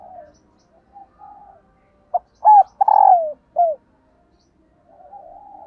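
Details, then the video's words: Female dove, calling to stimulate males, delivers one full phrase of short coos, a trembling descending purr and an ending coo, preceded and followed by faint soft distant sounds. "Tiếng Chim Cu Mái kích Trống Hiệu Quả"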